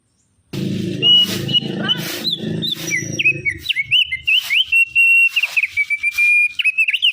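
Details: Black-winged starling singing energetically: a long run of sustained whistled notes with rising and falling slurs, broken by loud harsh rasping bursts; a low humming background sound fills the first three seconds.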